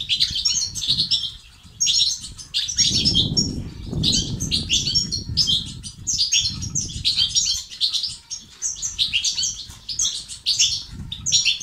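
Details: European goldfinch, played to spur males into singing and activity, delivering a long stream of rapid liquid twitters and short buzzy trills in bursts, with a low rumble underneath.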